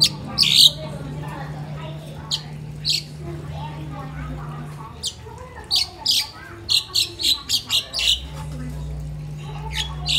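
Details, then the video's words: Pet crested myna, a mimic bird, kept at home in the Philippines, giving sharp high chirps, a burst early on and then a quick run of about eight short notes, with faint voices and a low hum behind. "CRESTED MYNA BIRD|| CHIRPING SOUND"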